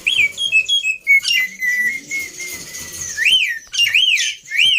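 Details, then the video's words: Jalak putih (black-winged myna) training recording with easy-to-imitate phrases: a series of pure whistled notes, a long steady drawn-out whistle, then three loud rising-and-falling whistled swoops. "Pancingan Plus Masteran Burung Jalak Putih full Isian Mudah Di Tiru"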